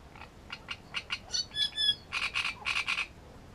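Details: Great reed warbler song from Grachevka: a rhythmic string of short ticking notes builds into squeaky upper chirps, then ends with four loud, grating, croaking notes delivered in two pairs.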